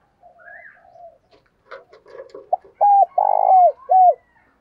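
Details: Decoy spotted dove cooing in the morning to lure wild doves: soft faint notes first, then a loud phrase of a short note followed by long, mellow, hollow coos that each drop at the end.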